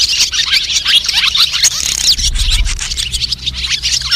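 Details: White-bellied swallow flock calling, played to attract birds for trapping: a busy mass of high chittering notes, with a low rumbling thump partway through.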